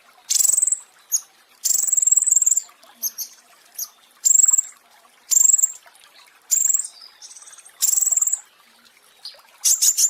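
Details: Pentis raja flowerpecker in a training recording for caged birds: repeated shrill, fast-pulsed buzzy trills about every second, with brief ticking notes and a dense chattering burst at the end.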